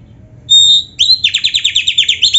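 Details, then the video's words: Oriental magpie-robin, black-breasted kacer form, in a song played to stir caged birds: one pure, steady high whistle, then a fast rhythmic trill of about a dozen repeated buzzy notes. "SUARA BURUNG KACER MASTERAN"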